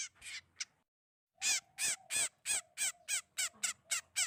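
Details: Trapping lure of bird calls: a few scratchy notes, a brief silence, then a fast run of about ten harsh, grating calls in steady succession.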